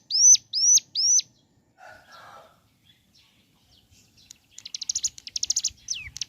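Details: Bar-winged prinia in morning song: three loud, high, down-slurred whistles open, then a short pause with a soft rustle, followed by a quick rattling series of sharp high chips.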